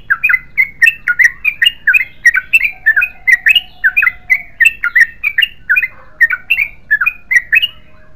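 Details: Continuous bubbling song of a Yellow-vented bulbul, 'ropel panjang' style, with quick, warbled double notes rolling on steadily for the whole stretch against a quiet background.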